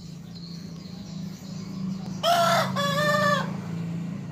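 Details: A village hen (ayam kampung) that crows in the morning gives a single rooster-like crow, a harsh two-part phrase lasting about a second, over a steady low mechanical hum.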